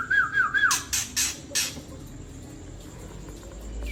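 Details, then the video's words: Rough 'trek kasar' song of a mature wild white-rumped shama from Tangse, used to agitate other shamas: a few quick wavering whistled notes, then three loud grating rasps, followed by near silence with steady background hiss. "Trek Kasar Murai Ori Tua Tangse"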